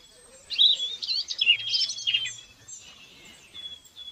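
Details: Several wild birds singing together outdoors: high chirps and twittering phrases overlap for about two seconds, then fade to a single thin whistle, with a faint low hum underneath.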